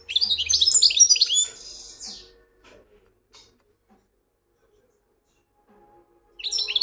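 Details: European goldfinch giving a loud, rapid run of tinkling, high twittering notes that fades into a thin trill, then near silence before another sharp twitter burst begins.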